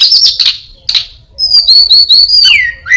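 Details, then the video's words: Buzzy high bursts give way to a string of quick, looping whistled phrases and a sharply falling note from an orange-headed thrush that imitates prinia, cat and cirtu calls. "burung Anis binbin gacor isian perenjak,kucing,cirtu,dan burung lainya"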